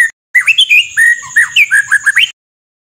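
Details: White-rumped shama singing a burst of rough rapid-fire phrases: rich swooping whistles and short slurred notes in quick succession for about two seconds, then silence.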